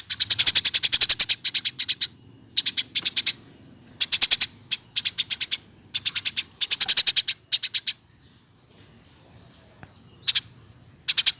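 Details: Pet Eurasian tree sparrow raised by hand, aged one year or more. Repeated bursts of quick, metallic chirps, each burst about a second long, separated by brief pauses, with a thin faint whine in the background.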